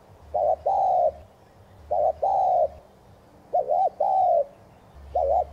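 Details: Spotted dove 'thúc gù' cooing, played to stimulate other doves to coo. Paired low coos, a brief quavering note then a sustained even note, recur steadily about every one and a half seconds over a faint low hum.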